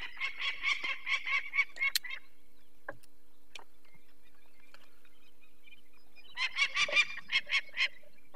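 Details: Peregrine falcon alarmed by people taking a chick from its nest, Barycz Valley, Poland, May 2023. Two bursts of harsh repeated cackling, each about two seconds long, separated by a quiet gap with a few clicks.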